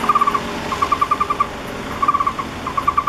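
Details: {'caption': 'A fledgling Taiwan barbet in a roadside camphor tree near the National Palace Museum, 28 August 2013, calls from its nest hole while waiting to be fed. Brisk runs of four to seven clipped, same-pitched notes follow one another with short gaps, over a low urban rumble.'}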